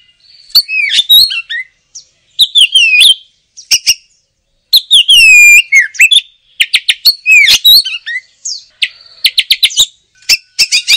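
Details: Oriental magpie-robin in continuous chattering song, mixing sweet falling whistles, harsh scratchy notes, rapid trills and sharp clicks in quick succession with few pauses.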